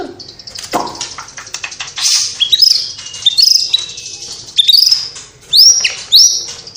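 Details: White-rumped shama from Cililin singing with mimicked sparrow, lovebird and bulbul calls; clicky high ticks build into sharp upslurred whistles repeated roughly every half second toward the end.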